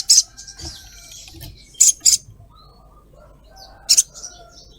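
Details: Female ruby-cheeked sunbird calling a male with 'cret cret' calls: sharp, very high chips, one alone, then a pair, then another pair, with soft twittering between.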